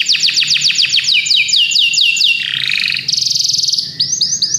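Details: Belgian canary song opening with about ten quick falling whistles in a row, moving into a smooth rolling warble and then a high, fast rattling trill with short slurred notes.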